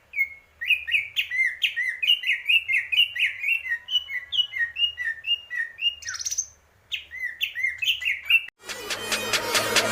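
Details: Fast, chattering song of a greater green leafbird: dense whistled notes tumbling one after another with a brief harsh sweep in the middle, ending abruptly in loud broadband noise.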